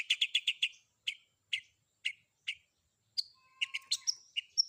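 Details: Long-tailed shrike in a combined fill-in song track: a quick burst of five loud, harsh chips, then single chips spaced about half a second apart, ending with high thin whistles and a clustered chatter.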